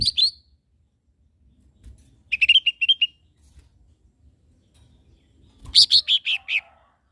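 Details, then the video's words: Training song of a lesser green leafbird for caged birds: three separate bursts of fast chattering whistles, the first brief and high, the middle of five clipped notes, the last a descending run of six notes. "SUARA BURUNG CAK IJO MINI"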